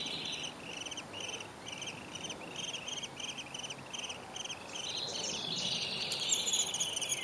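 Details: Downy woodpecker nestlings in a tree hole give thin, high squeaks, about three or four a second in a steady run, as parents come to feed them in spring, before a rustling, scratchy noise takes over near the end.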